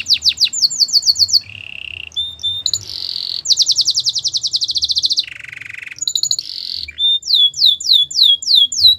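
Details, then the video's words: Gloster canary song built from contrasting tours: quick repeated falling notes, a low steady buzzing trill, a fast bright rattle, another low trill, then slower swooping whistles. "Gloster canary singing"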